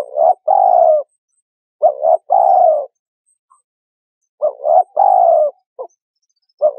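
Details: A spotted dove coos as a bird-trapping lure, repeating two clipped notes then a longer falling coo, three phrases in under seven seconds, clean with no other sounds.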